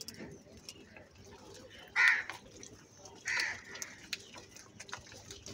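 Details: Crow calling at feeding time: two harsh, hoarse caws a little over a second apart, standing out against a soft background of small-bird chirps and faint clicks.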